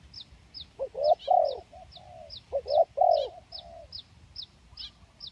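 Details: Spotted dove, 'kacuk' or 'kampung' type, recorded for luring: two phrases of throaty coos, short notes leading into longer hoots, while sharp high chirps repeat regularly in the background.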